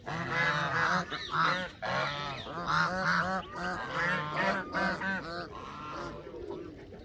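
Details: Canada geese calling in a dense chorus of harsh, nasal honks with rich harmonics, overlapping and repeated rapidly for about six seconds before fading.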